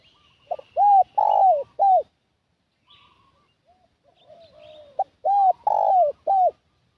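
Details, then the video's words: Spotted dove call played as a lure to draw wild doves: two loud bouts of a short note followed by three strong hollow coos, arched and falling, the middle one longest, with fainter coos from another dove between bouts. "Mendengar Suara Pikat Burung Tekukur Ini Langsung Melambung Pencari Pikat"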